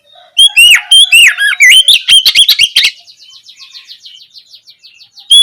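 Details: Kacer (Oriental magpie-robin) in open, loud ngeplong song during the afternoon, played as a lure to make other birds reply quickly: a rapid string of rich whistles and rough notes for two and a half seconds, then a softer fading series of thin repeated notes.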